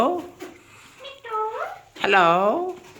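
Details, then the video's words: Alexandrine parakeet mimicking speech in a small room, repeating "hello" and meow-like sounds in short voice-like phrases with gliding, rising and falling tones, including a drawn-out meow. "alexander parrot talking"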